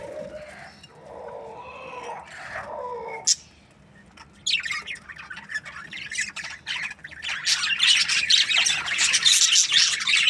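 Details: Australian budgies: softer, lower warbling notes at first, a sharp click, near silence, then rising flock chatter of rapid, scratchy chirps that grows loud toward the end.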